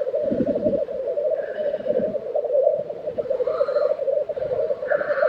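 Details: Lekking black grouse, Tiveden, Sweden, in April 2023, keep up a continuous rolling, bubbling murmur. Faint hissing whooshes rise over it now and then, with low thuds near the start.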